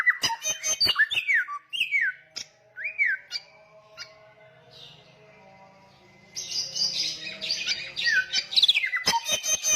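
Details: Samyong songbird singing loudly: a burst of down-slurred whistles and clicks, then a few seconds of near quiet with a faint low hum, then dense high chattering phrases with more whistles and sharp clicks.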